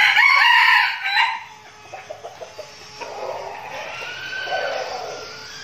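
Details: Trained decoy red junglefowl from Bình Phước, Vietnam; one loud, strained crow opens the recording and trails off, followed by soft clucks and a quieter, distant crow later.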